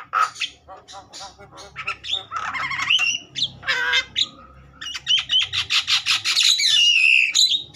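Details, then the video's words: Agitated Javan myna singing hard, used to prompt other mynas to sing: a rapid jumble of harsh chattering squawks and rattles mixed with short whistles, delivered almost without pause. "Jalak kebo ngamuk...merangsang jalak kebo bakalan cepat bunyi"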